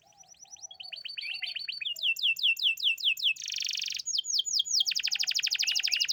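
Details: Champion canary singing a loud, fast song of repeated high trills. Phrases of rapid rising sweeps change every second or so, with a dense buzzy rattle near the middle. A faint low hum sits underneath.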